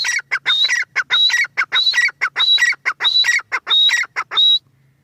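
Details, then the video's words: A female grey francolin (teetar) gives a rapid, insistent run of strident phrases: a shrill whistled note and rasping lower notes, repeated roughly twice per second and ending on a final high whistle. A faint low hum sits underneath. "Teetar awaz | teetar ki awaz | teetar sound | dakhni teetar awaz | female titar awaz"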